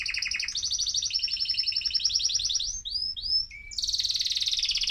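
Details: Male mosaic canary in an excited state, singing to stimulate other birds: fast buzzy trills that step between phrases, a few upward-sweeping whistled notes, then another rapid rolling trill.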